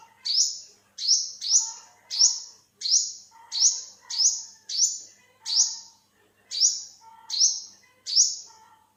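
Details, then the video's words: Thirteen piercing, rising chip notes from an olive-backed sunbird, recorded in 2021, delivered in a fairly even series with a brief pause near the sixth second; background otherwise quiet. "เสียงนกกินปลีอกเหลือง Olive-backed sunbird, Yellow-bellied sunbird"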